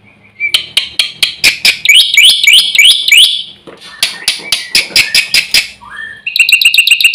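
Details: Black-winged myna pouring out constant song packed with borrowed phrases to provoke other birds: clicks, then a string of looping upslurred whistles, a burst of scratchy notes, and a fast rattling harmonic trill at the end.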